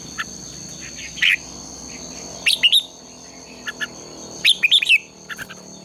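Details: Morning contest singing of red-whiskered bulbul, a lure for training birds: an isolated bright note, then two separated clusters of quick, warbling whistled notes, with faint chips between and a steady high hum throughout.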